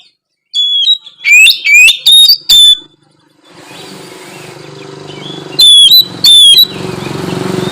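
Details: Oriental magpie-robin song used to coax other magpie-robins to sing: several loud upslurred whistles, then a steady rising background noise and two more held whistles later on.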